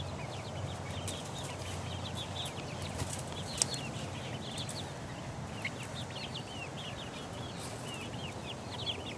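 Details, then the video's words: Chicks four weeks old pecking about, with a continuous flock chorus of short, high, arched peeping chirps, some faint tapping and rustling beneath. "4 week old chicks pecking around"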